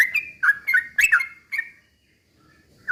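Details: Sooty-headed bulbul song used to stir other birds to sing: a brief burst of four or five liquid whistled notes with clicks, then a second of quiet and one final note.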